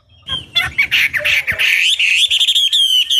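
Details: Chinese hwamei song meant to excite other hwamei into replying: harsh, noisy, rasping notes at the start, then smoother, loud, fluttering whistles.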